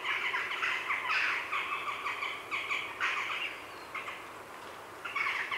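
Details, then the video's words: Grey herons at their heronry in the afternoon give loud, grating chatter in rapid pulses, several bursts a second, then a brief lull and a final surge. Jackdaws and a blue tit are in the background. "Grey Heron. Heronry Calls CU In Afternoon"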